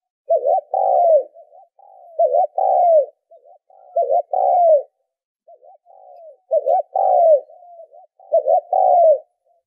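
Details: Repeated spotted dove coos, recorded as a lure for decoy-bird training: rhythmic hoarse two-part phrases roughly every two seconds, each a quick wavering note then a longer falling coo, with soft connecting notes.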